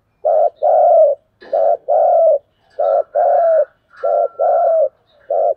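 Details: Spotted dove giving its fighting coo, known in Vietnam as cu gù đấu, challenging rivals: loud paired phrases, a short hoarse note then a longer falling croon, repeated about every 1.3 seconds without pause.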